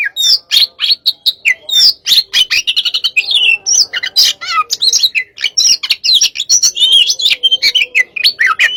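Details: Hot-type Oriental magpie-robin in pacingan, delivering rapid, continuous song of bright whistles, quick up-and-down slurs and scratchy clicks packed closely together throughout.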